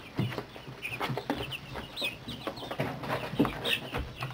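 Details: Brooder of 30-day-old chicks, 28 hens and 9 roosters of several breeds, starting their first molt; many overlapping high chirps and peeps with soft lower clucking, scratching and rustling noises throughout.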